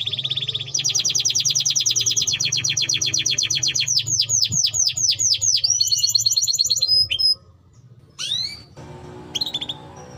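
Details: Timbrado canary sings a melody of rapid high trills and a series of quick descending slurs, then a brief whistle, before the singing breaks off into scattered single upward-sweeping notes over a low hum.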